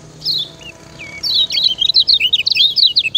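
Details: Training song of a lemon-bellied white-eye from Lombok: a few separate high notes, then a rapid, continuous chatter of bright zigzag whistles that keeps going to the end.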